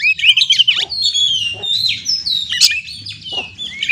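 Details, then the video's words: Oriental magpie-robin (kacer) lure song for stressed birds: a loud cluster of chirps at the start, then long level whistles and a few sharp notes over a low background hum. "Terapi kacer stres langsung gacor dengan pancingan suara burung kacer ini"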